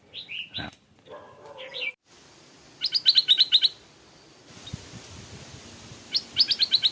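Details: Stripe-throated Bulbul beside a canal, where a caged young decoy bird faces a wild bird that flew across to fight it; bursts of bright chirpy notes, a rapid run of sharp repeated notes, then another quick series after a pause.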